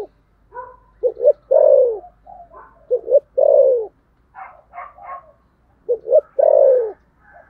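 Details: Spotted dove contest cooing in the thổ sấm style, three short-short-long phrases with a drawn-out falling final coo. Other doves answer softly in between.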